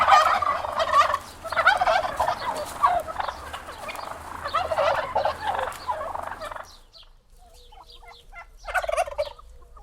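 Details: Turkeys gobbling almost nonstop in dense, rattling bursts for several seconds, then a quiet gap broken by faint calls and one final gobble.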